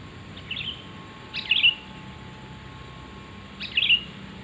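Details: Sooty-headed bulbul call used for luring wild birds: short bubbly, slurred chirping phrases, each about half a second, given twice roughly two seconds apart over a faint steady background hiss.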